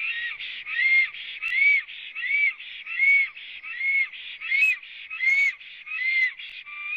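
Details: Wheezing, rasping song of a black stork that has just come to its nest in Latvia, live nest camera, morning of 26 April 2017; steady pulses about every 0.7 seconds, each a breathy burst with a whistled rising-falling tone.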